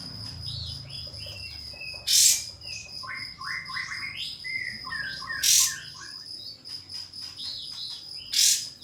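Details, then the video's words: Pied fantail singing to call a rival, used as a lure to make another fantail spread its tail and sing; bright whistled notes stepping down in short runs, loud harsh bursts about every three seconds, steady high insect hum behind. "Kapas Tembak Bukor Mbeset Memanggil Lawan Untuk Pancingan Katem Agar Buka Ekor Gacor"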